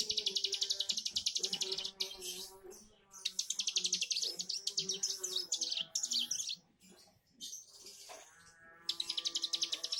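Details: Young bar-winged prinia learning its song, practising the buzzy 'bren' style: fast bursts of high, rasping buzzy notes repeated roughly four times a second, broken by short pauses and softer twittering phrases, with faint lower tonal notes in the background.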